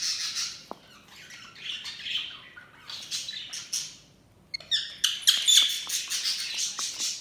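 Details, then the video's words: Budgies calling in bursts of high, scratchy warbling chatter. A pause comes near the middle, then quick clicking notes and louder squawks. "Budgies Sounds| Budgies Chirping sound"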